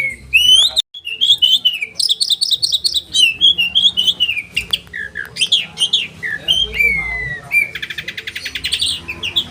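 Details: Training song of a caged oriental magpie-robin, sharp 'roll tembakan' type: rising whistles, a run of rapid repeated chips, flowing slurred phrases and a closing dense buzzy rattle, almost without pause.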